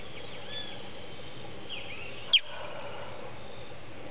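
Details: Newly fledged Creamy-bellied Thrush calling for its family from inside a hedge in late afternoon, giving a single abrupt, high chirp that drops sharply in pitch midway through, with constant low hiss and faint soft bird notes behind.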